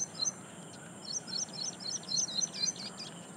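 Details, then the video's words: Ashy prinia singing loudly in reed beds at Powai Lake, IIT Bombay, Mumbai, India, on 1 October 2022, captured with a directional microphone; rapid, high, thin chirping notes repeated about four times a second over steady background hiss. "Song of Ashy Prinia"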